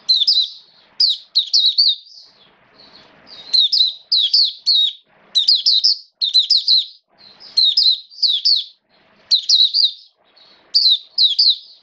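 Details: Captive Oriental white-eye (Mata Puteh) singing on 29 September 2022, during wet, rainy weather, in fast bursts of high, sweet, tumbling twitters, each phrase under a second and repeated with brief pauses; faint indoor hiss between phrases.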